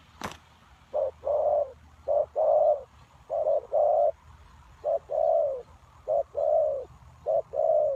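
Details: Spotted dove used as a lure for wild doves; after a brief click it gives a series of low coo pairs, short then drawn out, repeated about once a second.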